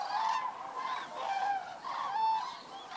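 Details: Common cranes flying in at dusk to roost near Federow, Germany, October 2018. Close, loud trumpeting calls in quick succession, with several long even notes over the murmur of many other cranes.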